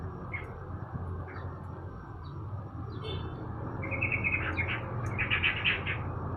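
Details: Morning sunning of a sooty-headed bulbul: scattered faint chirps, then a lively cluster of bright, tumbling notes building toward the end, over a low rural hum.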